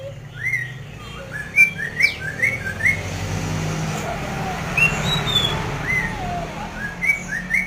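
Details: Masked laughingthrush singing in short bursts of sharp upslurred whistles and chirps, spaced irregularly, over a loud constant background rumble.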